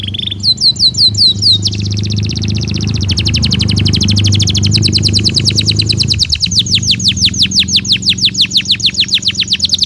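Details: Belgian canary singing naturally: a few sweeping notes, then long rapid trills of repeated high notes that slow into distinct descending chirps, with a low hum in the background.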